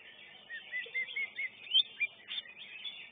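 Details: Greater green leafbird singing in a songbird contest where it took third place: a run of slurred whistled notes rising and falling about four per second, over dense chatter from other competing birds.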